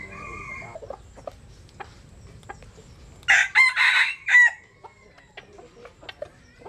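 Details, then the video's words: Jap Cuban bantam rooster crowing while sunbathing in the rural western region. After a quiet stretch with a few clicks, one loud crow breaks into four harsh, harmonic bursts lasting just over a second, then faint background noise returns. "Gà Tre Jap Cuban Tắm Nắng. Gà Gáy/ Chicken Bamboo Jap Cuban Sunbathing. Crow"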